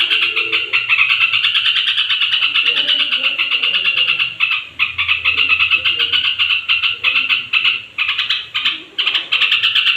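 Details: Near-continuous bubbly chatter from a yellow-vented bulbul at bedtime, meant to rouse other bulbuls; dense fluttering notes run almost without pause, broken by a few brief gaps, over faint low hum.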